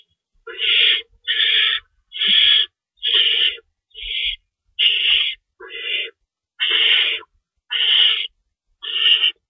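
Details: Owl nest feeding time at 3:53 AM, March 25, 2012, prey rabbits on hand and an adult shredding: ten coarse, noisy screech-hisses, each about half a second, repeated roughly once per second.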